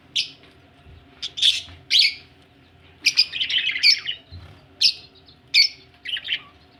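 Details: Budgies ready to lay eggs, chirping in short sharp bursts separated by brief silences, with one longer scratchy warbled phrase in the middle and a steady low hum behind.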